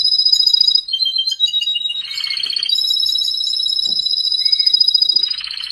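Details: Canaries singing a continuous, rapid rolling trill, high and pulsed, holding steady tones that step down and back up in pitch over several seconds, with a brief buzzy burst in the middle.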